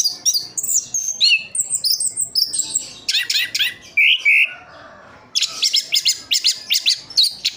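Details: Captive Orange-headed thrush from Sidoarjo, East Java: fast chirps and whistles, a run of sharp clicking notes, two rising whistles, a pause, then rapid repeated staccato chips.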